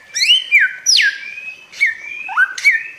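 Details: Bare-throated whistler from Flores, Indonesia: a few long, pure whistles. One loud note swoops steeply downward, one sustained note is held, and the phrase ends with a low note rising into a brief upward flick.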